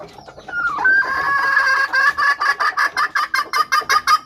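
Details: Female red junglefowl calling to lure wild males, used as a decoy for trapping; a few drawn-out whistled notes open, then hoarse clucks repeat rapidly, about three per second, growing steady and loud.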